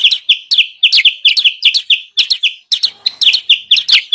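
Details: Sooty-headed bulbul lure calls meant to bring wild birds down: paired, sharp chirps at an energetic pace, broken by a short silent gap midway.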